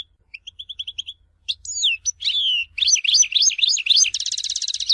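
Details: European goldfinch song recorded at Tizi Ouzou. It opens with a row of soft repeated high pips, swells into bright, rapid, descending twitters, then ends in a dry buzzy trill.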